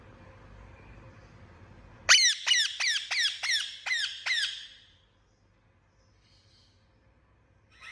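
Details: Pet Indian ringneck parakeet uttering one run of about seven loud, grating squawks, each sliding downward, evenly spaced, followed by silence; faint room hum before.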